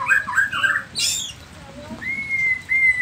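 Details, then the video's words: Energetic song of a Nias 'noktah' white-rumped shama, used to provoke rival shamas into answering: a quick burst of mellow whistled notes, a harsh noisy note, then long clear level whistles. "Murai batu nias noktah gacor isian dengarkan suara ini 30 detik murai batu lain akan nyaut seketika"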